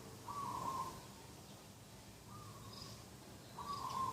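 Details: A dove calling in the morning beside a garden on 2 October 2021: three level, slightly rolling mid-pitched coo notes, each about half a second long, spaced irregularly, with faint high chirps from other birds in the background.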